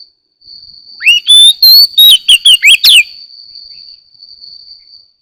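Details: Oriental magpie-robin singing in the morning: a rising whistle opens a fast run of sweet slurred notes and clipped chirps, with a steady thin high tone droning through the whole recording.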